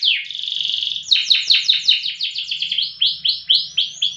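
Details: Prize canary of the loper style, valued for long, loud singing: a nonstop high trill opens, followed by a quick series of sweeping, slurred notes that slow into evenly spaced rising whistles, with faint low background hum.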